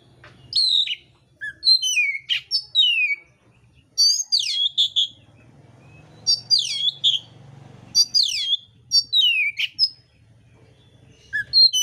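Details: Oriental magpie-robin, mintal form, singing a fighting song full of rough fill-in material: repeated clusters of steep descending whistles and sharp chips, roughly every two seconds, over a faint background hum.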